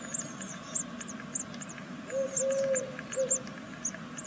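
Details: Great tit nestlings of a second brood, sixth day, in a nest in Veszprém, Hungary, give thin, very high chirps about every half second while a low hooting note sounds in the background.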